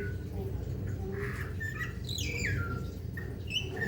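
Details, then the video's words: Golden myna (Papuan golden myna), a rare bird, giving a few clear whistled notes and a sharp descending slurred phrase, over steady low indoor rumble and faint background chatter. "Jalak Emas Papua (Golden Myna) Cantik dan Merdu"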